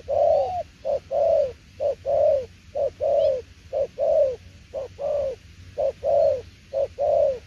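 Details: Spotted dove delivering a 'đồng tiểu liên nước' coo series: soft, deep short notes each followed by a longer rounded coo, repeated evenly about once per second, with occasional faint bird calls in the background.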